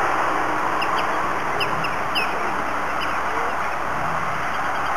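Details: Short-billed Dowitcher at Berthier, Quebec, in August 2008, giving soft, high whistled tu notes, single and in quick pairs, scattered over several seconds against steady loud rumbling wind or surf.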